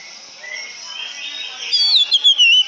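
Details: Oriental magpie-robin singing: after a faint start, clear high whistled notes slide and waver through the final second, rising then falling.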